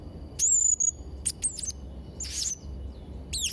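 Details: Blue-crowned hanging parrot song meant for tutoring young birds: a thin, high whistled note, then a few sharp clipped chirps and a scratchy buzz, with quiet gaps between them.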